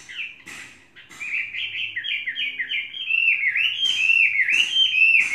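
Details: Tame three-season Chinese hwamei singing a fast, continuous warble of linked whistled notes, about four a second, rising and falling and growing louder and more intense toward the end, with a few crisp clicks.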